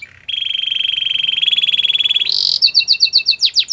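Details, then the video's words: Belgian canary singing to warm up and get ready for females: a long, rapid, steady trill of high notes, then a brighter, higher-pitched trill, and finally a few quick descending notes in a fast series. "Belgian canary singing to warm up and get ready for females"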